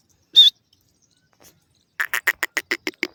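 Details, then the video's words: Francolin perched on its cage calling out to other birds: one sharp high note, a pause, then a quick series of about nine harsh clipped notes. "irani teter awaz"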